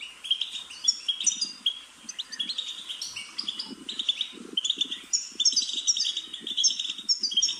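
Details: European goldfinch song used to prompt pet birds to sing: continuous rapid twittering and tinkling trills, with soft low rustling or clicking sounds in the background.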